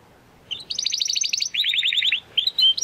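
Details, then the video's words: Spanish Timbrado canary, a young bird still working out its full song, delivers rapid metallic rolls, one high trill dropping into a lower rolling series, then short bright whistled notes. "Canary Song - Spanish Timbrado Classico"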